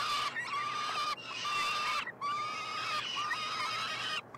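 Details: Feeding of three young peregrine falcons at the University of Montreal nestbox, Quebec, 21 June 2022; four drawn-out, steady, nasal wails with rich overtones, each close to a second long.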